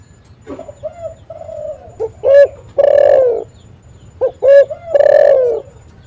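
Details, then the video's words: Spotted dove in full calling form, a lure recording for trapping doves: soft low notes lead into a quick double note and a long, loud, falling coo, the phrase given twice. "SUARA BURUNG TEKUKUR ini JAGO MEMANGGIL untuk PANCINGAN & PIKAT"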